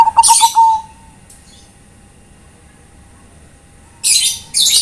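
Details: Zebra dove of the Bangkok type calling to companions: a brief, quick run of about five low, clipped cooing notes that trails into a sustained tone, later followed by loud, harsh, hissing bursts.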